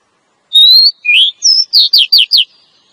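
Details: Female Oriental magpie-robin luring a male: a long steady whistle, then a lower rising note, followed by a quick run of four downslurred whistles, all clean against silence.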